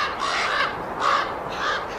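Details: Common raven chicks in an active tree nest in Yellowstone, lying tight and gaping as if to a parent, give three harsh, rasping begging calls in quick succession, each a hoarse drawn-out squawk; nothing else clearly heard.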